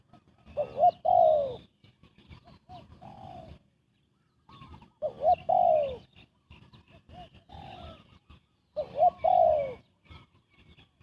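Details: Spotted dove in fast cooing used for bird trapping, three phrases spaced about four seconds apart, each a loud hooked note and falling coo trailing into softer, lower murmured notes.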